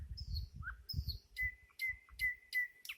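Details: Nightingale song with low rumbling background noise: high slurred whistles, then five loud sharp notes repeated about every half second.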